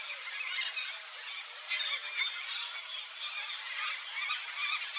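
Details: Red-bellied macaws calling as a group, with dense overlapping squawky notes and short rising and falling harmonic calls, steady and unbroken throughout, against a constant background hiss.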